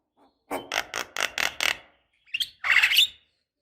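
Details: Female black-winged starling calling to a male, used to stimulate singing: a series of six harsh, rasping notes in quick succession, a pause, then a short sharp note and a louder, broad screechy burst.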